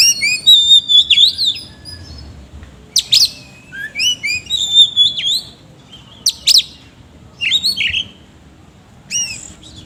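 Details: Oriental magpie-robin in full song, a varied rough-toned performance of whistled phrases and sharp downslurred notes in bursts, with pauses between short groups.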